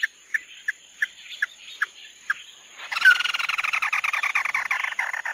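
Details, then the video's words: Red-eyed bird (chim mắt đỏ) giving tí nỉ song: seven short whistled notes spaced about a third of a second apart, then a sudden loud, continuous buzzy chattering run. "Tiếng chim mắt đỏ tí nỉ chuẩn nhất"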